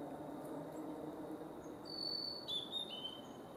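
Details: Male blue-and-white flycatcher at Kawaguchiko Field Center, Japan, in May 2017: after a quiet opening with steady background hiss, a few high, pure whistled notes step downward in a short phrase.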